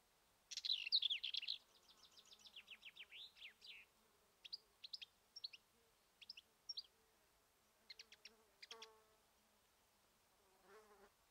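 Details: Black-eared wheatear near Ermita de la Virgen de la Sierra, Cabra, Andalusia, Spain, opening with a scratchy, buzzy burst, then a run of thin high notes and short dry clicks spaced about half a second apart; quiet background.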